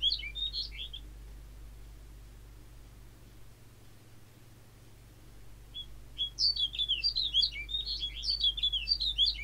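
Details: A snow bunting among a roadside flock at Terva-aho, Joroinen, on 23 March 2024 gives a brief bright warble, falls silent a few seconds, then sings a longer run of quick jangling notes over a low steady hum.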